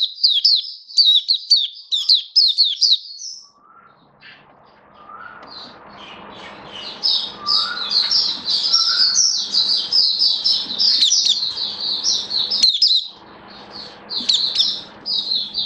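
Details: Oriental white-eye in a cage, 21 October 2022, first day given a song-display booster: a few seconds of quick high twitters, then softer, thinner warbling over a constant low hum and background noise.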